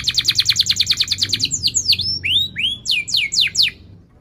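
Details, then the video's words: Loud canary song with rolling trills, meant to coax young or silent canaries: a rapid rhythmic trill of high notes, about eight per second, gives way to varied swooping whistles that dip, rise and fall sharply. "Kenari Gacor Cuit cuit NgeroL TAJAM"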